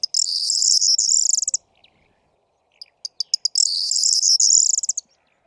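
Corn Bunting singing twice: a few quick high ticks speeding into a dry, glittering jangle, like shaken keys, each phrase about one and a half seconds.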